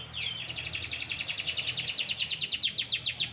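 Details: Canary being sunbathed lightly, singing a steady rolling trill of evenly spaced high notes, about five to six per second, growing louder toward the end, over low hum.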